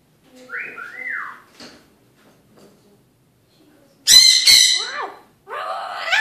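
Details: Pet Eclectus parrot during evening talk indoors: two soft rising-and-falling whistled notes, a quiet gap, then loud, grating squawks and a harsh, layered screech.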